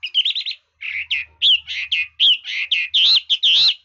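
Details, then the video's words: Red-whiskered bulbul singing with frequently shifting voice: a dense run of loud, warbled, slurred whistled phrases with hardly a pause, rising and falling, quickly repeated about twice per second. No other sounds. "Chú mi cực hay, đảo giọng hót tốt hót rất đẳng cấp"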